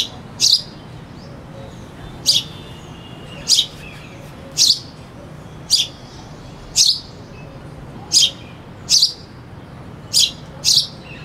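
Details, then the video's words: Long run of sparrow chirps, about ten short high bursts spaced one to one and a half seconds apart, with a cuckoo singing in the background and steady faint hum. "sparrow bird sound (with cuckoo singing in the back)"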